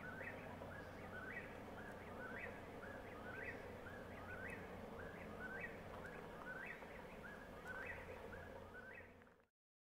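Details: Eastern Whip-poor-will calling at sunset near mines in Warrick County, repeating its rhythmic whistled 'whip-poor-will' phrase, rising at the end, about once a second over a steady low rumble.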